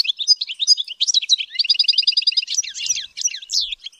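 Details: European goldfinch raised and trained in song: lively tinkling twitter, then a fast even trill of repeated notes, then tumbling buzzy phrases, continuous and high throughout.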